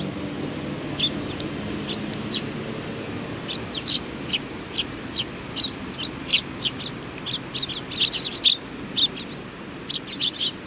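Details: Sparrows at a Tenmangu shrine, Japan, 4 July 2019, giving a lively stream of short, bright chirps that grows denser after the first few seconds, several birds calling over a steady low rumble.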